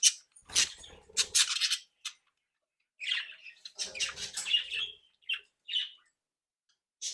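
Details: Captive-bred budgerigars playing and interacting: sharp clicking squawks in a quick burst, a pause, then a run of scratchy chirps and short warbled notes with gaps between.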